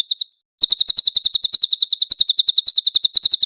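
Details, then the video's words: Velvet-fronted nuthatch, a clear master recording for songbird training: a few high chips, a short gap, then a fast continuous rattle of sharp notes. "MASTERAN BURUNG CILILIN JERNIH"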